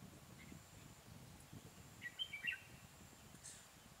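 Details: Red-whiskered bulbul at a trapping site with a caged decoy bird, fighting song; one quick cluster of clear whistled and chirped notes midway, surrounded by hiss and low rustling noise.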